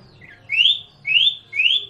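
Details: Male common iora, used as a lure recording to prompt other ioras to answer, gives three clear, upslurred whistles, each about half a second long, in quick succession over a faint low hum.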